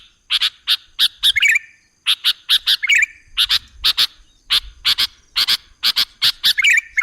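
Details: Sooty-headed bulbul, used as a lure to draw other birds: bursts of harsh, buzzy chirps come in quick pairs and triplets, with short, bright, warbled whistles mixed in. Brief pauses split the phrases, with no other sounds.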